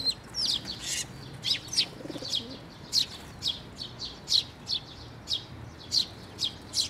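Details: Sparrows with fledglings flying in to be fed at a bridge over water at a shrine on 11 May 2024; sharp, high chirps in irregular bursts, some close pairs, roughly fifteen in seven seconds.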